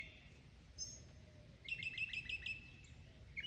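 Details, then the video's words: Mockingbird, a mimicking bird, singing: a faint high note, then a bright chattering phrase repeated about six times in quick succession, with low background hum. "Mimicking bird | Mocking bird | Beautiful sound"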